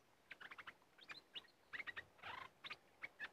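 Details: Red-whiskered bulbul song during decoy luring in an area said to have aggressive birds: clusters of bright chirped notes, short whistles and a brief harsh burst, separated by short gaps.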